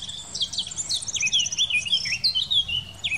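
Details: A Eurasian blackcap in the Wittlich valley, Germany, recorded in 2018, sings a fast, rich warble of high, fluty and chattering notes, running on without pause; a faint low rumble lies underneath.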